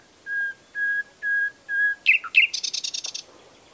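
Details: Nightingale song opening with four drawn-out level whistles, then a burst of sharp, fast chirps and a short rattling trill, over a quiet hiss.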